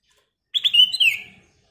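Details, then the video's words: Black-crested bulbul (kutilang emas), described as a lively, clear-voiced singer used as a lure recording. Heard here as one short, bright whistled phrase of quick slurred notes, with a sliding note near the end, on a quiet background. "KICAU BURUNG KUTILANG EMAS GACOR suara Kristal / Pancingan Kutilang Emas Gacor full isian"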